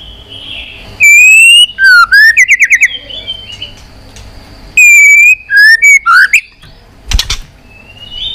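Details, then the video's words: Fighting song of a white-rumped shama: bright, clear whistled notes in short, loud bursts, some sliding upward, others quickly trilled, separated by pauses, with a brief low thump near the end. "kích Chòe Lửa hót đấu căng lửa.chòe Lửa hót giọng dài"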